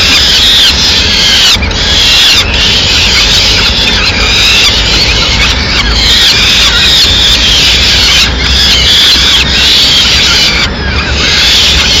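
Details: Young peregrine falcons in Madrid, Spain, screaming insistently as the female delivers a small bird at mid-morning; long run of harsh, high, overlapping begging screeches with short pauses.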